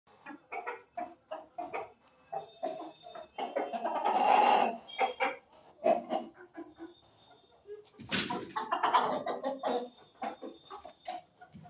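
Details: Fighting White Leghorn chickens give rapid, uneven clucks with two louder, harsher squawking bursts, over a thin steady high whine.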